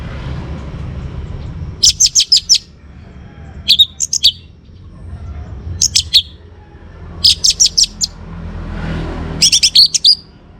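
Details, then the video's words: Young orange-headed thrush, kept to get other birds singing, delivers five short bursts of high, rapid chattering notes and brief twisting whistles, spaced a second or two apart in a fairly quiet setting. "ANIS MERAH Muda Gacor Untuk Pemancing Burung Berani Berkicau"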